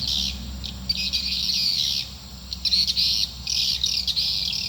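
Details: Swiftlet call for drawing swiftlets into a nest building: bursts of shrill twittering separated by short lulls, clearer and louder toward the end, with faint low background hum.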